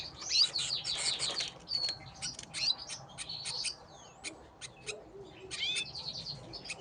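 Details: Gloster canaries fighting, giving a busy stream of high, thin chirps and sharp clicks, with short buzzy trills and quick twittering bursts against a low background hiss.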